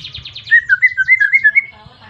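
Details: White-rumped shama (murai batu) challenge song aimed at rival shamas to make them sing: a quick run of high chirps, then alternating higher and lower whistled notes in a fast, even sequence.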